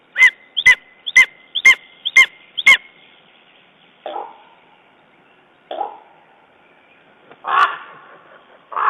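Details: Lesser spotted eagle at its Estonian nest on 14 June 2011, after a raven attacked. Six sharp yelping notes come in quick succession, followed by a few lower, rougher rustling sounds.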